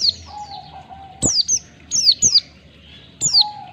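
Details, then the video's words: Oriental white-eye training recording for caged birds, meant to prompt the fast 'ngalas' song style: thin, high downslurred notes given in pairs at irregular intervals, over a steady low hum. "Masteran pleci bahan biar cepat ngalas pleci ngalas 1 2 ketukan, merangsang pleci cepat ngalas"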